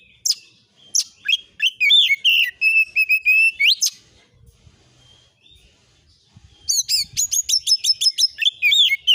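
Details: Oriental magpie-robin lure song meant to provoke rival birds into replying: loud, varied whistled phrases with rapid chattering notes and rising slurs, a pause near five seconds, then a fast run of repeated sharp notes; clean background.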